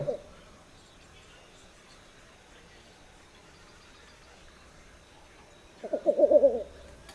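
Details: Least bittern (Ixobrychus exilis) song, a raspy, cuckoo-like example that sounds almost like laughter: a short, low run of rapid cooing pulses lasting under a second after a long quiet stretch.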